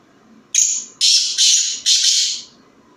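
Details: Black francolin of the Sheedi Nasal strain, kept indoors, giving a loud harsh grating call of four rasping bursts within about two seconds, the last drawn out, in a quiet room.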